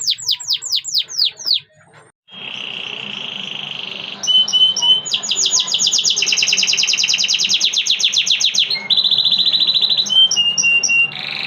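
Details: Canary delivering a series of steep descending whistles, a brief silence, then a low steady buzz followed by long, loud, rapid trills at several pitches, with short chips between tours.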